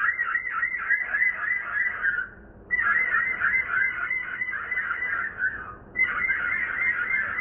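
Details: Pearly-eyed thrasher chicks, three in a nest on a beam of a villa deck, with the mother feeding them and chirping nearby, give a harsh, buzzy, rapidly pulsing chatter in long bursts, broken by two brief pauses.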